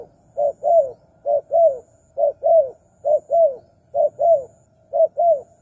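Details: Spotted dove call played to lure wild doves. Soft, low cooing in paired phrases of a short coo and a longer, downward-sliding coo, repeated six times about once a second at a steady pace. The background is quiet.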